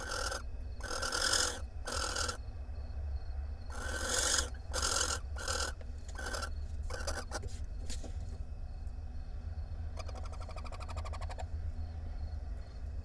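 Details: Barn owl nest box, camera 1, Israel, 9 March 2021, male arriving with a very large rat: several loud rasping hiss bursts early on, then scattered clicks and scratching, with a softer buzzy rattle near the end.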